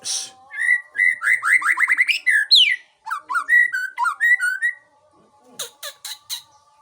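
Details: White-rumped shama from Aceh, a kept songbird; a fast run of loud whistled notes, rising and falling slurs and rapid repeated chips, then a pause and a few sharp clicks, with a faint steady hum underneath.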